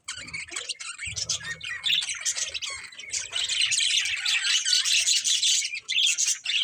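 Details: Steady high budgie warbling and chirping, dense and buzzy, over faint low background rumble.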